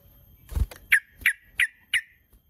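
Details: Sooty-headed bulbul calling to provoke rival birds: four sharp, clipped "cuk" notes spaced evenly about a third of a second apart, after a dull thump.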